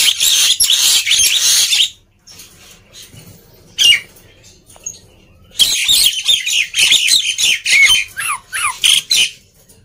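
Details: Black-winged myna singing loudly as a lure to coax reluctant mynas into song: dense harsh chattering squawks in bursts, a lull around the middle, then rapid scratchy notes with short downslurred whistles.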